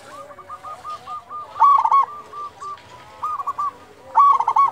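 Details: Local zebra dove with a big voice used to prompt other doves to sing; loud bursts of rapid, rolling coos near the middle and end, over dense overlapping cooing of several other doves.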